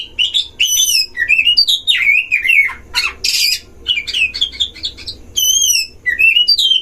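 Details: Oriental magpie-robin at a breeding cage, singing to lure and provoke other magpie-robins: sweet, slurred whistles descending and rising, a harsh buzzy burst, then high clear whistled phrases.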